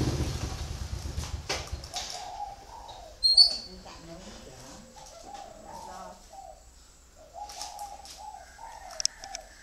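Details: Spotted dove cooing in short soft low phrases after an opening burst of handling noise and a sharp high squeak, with scattered faint clicks throughout.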